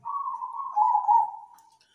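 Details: Local zebra dove singing: a single sustained coo near one pitch with a fluttering, trilled texture, swelling slightly louder midway, then fading out after about one and a half seconds.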